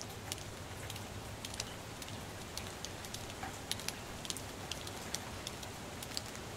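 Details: Rain drips patter irregularly on a porch over a soft hiss, with no animal sound.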